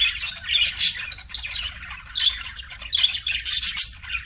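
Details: Pet budgies giving a lively run of chirps: high, scratchy, warbled notes in quick clusters, rising and falling, with brief gaps between bursts.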